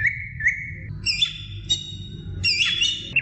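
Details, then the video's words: Greater green leafbird song played to encourage young birds to sing: steady mid-pitched whistled notes, then higher warbled phrases with rising and falling slurs over constant low background hum. "CUCAK IJO BIKIN JUNIOR NGETOP GACOR NGEPLONG"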